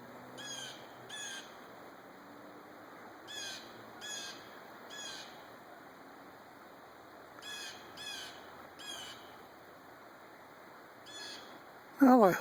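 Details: Blue jay in a wooded park on 26 March 2020 giving harsh, nasal, mournful warning calls in clusters of two or three, spaced a few seconds apart, ending with a loud rustling thump.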